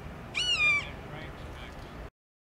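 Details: An immature Florida red-shouldered hawk, just learning to hunt near the Caloosahatchee River in Southwest Florida, USA, gives one high, slightly downslurred scream of about half a second over a low background rumble, with a few faint sounds after.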